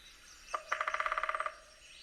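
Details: Red-bellied Woodpecker drumming: one quick, even burst of about thirteen ringing, metallic taps lasting under a second, against a quiet background. Males drum, especially in mating season, to attract a mate and establish territory, often on resonant structures.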